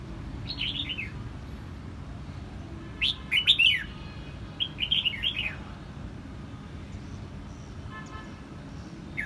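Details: Red-whiskered bulbul in Quang Nam, Vietnam, delivering bright gurgling phrases of quick downslurred notes, three bursts with a brief pause between them, against soft low background noise.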